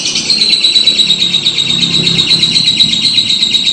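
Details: Sustained high, fast rattling ngekek trill from a lovebird, steady in pitch throughout, over a low background rumble.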